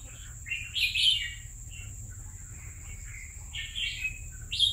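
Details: Several separate bright, bubbling whistled phrases with short gaps come from a red-whiskered bulbul kept caged for two years, over a faint steady background hum.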